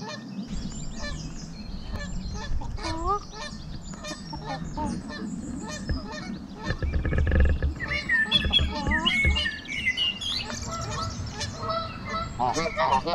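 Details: A gang of geese on a trail making loud vocal sounds; overlapping nasal honks and rising squawks pile up in a noisy, irregular chorus, with a low rumbling background throughout.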